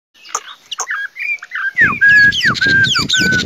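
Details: Chinese hwamei song: varied short whistled notes that rise and fall, building into loud, clear, sliding whistles, with a low rumbling noise under the later phrases.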